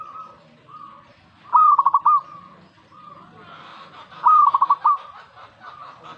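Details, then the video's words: Zebra dove reacting to a master recording, giving two rolling phrases of pulsed coos ending in a held note, among faint steady tones and a light hiss in the second half. "Langsung reaksi buat masteran perkutut"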